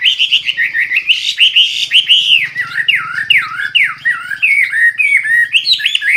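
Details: Full-isian gacor singing from a Hwamei, loud and clear: sweeping whistles that dive steeply and climb again, delivered in rapid succession over a soft low hum.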